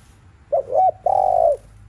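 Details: One phrase of spotted dove cooing in the afternoon, intended to stir other doves: a wavering two-part opening leading into a long, even, low coo.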